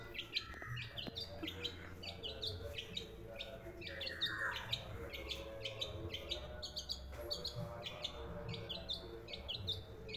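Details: Long-tailed shrike, described as sounding like an Asian pied starling, calling out as a house guard at someone's arrival. Continuous busy chatter of sharp, high chirps and clipped whistles, with one downward-sweeping note near the middle.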